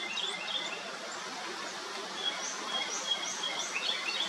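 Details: Lesser goldfinch, recorded in Texas, Colorado or Nevada, giving quick, thin high chirps and twittering notes, several per second, over a steady hiss of outdoor background noise.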